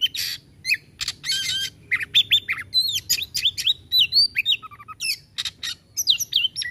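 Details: Oriental magpie-robin (kacer) in a 'tembakan' shooting-style song, a busy bird: rapid bursts of sharp whistles, upward and downward sweeps and harsh buzzy notes packed closely together, high-pitched with almost no low background sound.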